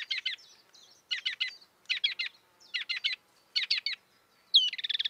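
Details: Marsh warbler in the wild repeating tight triplets of high chipping notes in clusters about every second, ending with a fast buzzy rattle.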